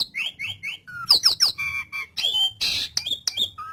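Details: Energetic gacor song of an Asian pied starling (jalak suren), meant to train pet starlings: short falling whistles, harsh squawks and noisy bursts in quick succession, with a faint low hum behind.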